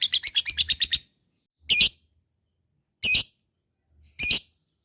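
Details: Lovebird sound meant as a rival to provoke lazy-singing lovebirds into long ngekek: a rapid burst of about nine sharp, high chirps, then three single shrill chirps spaced over a second apart.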